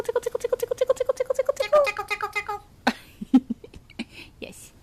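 An Eclectus parrot repeats a quick run of about fifteen clipped, tonal syllables like "tickle tickle", followed by softer chatter and a few human words.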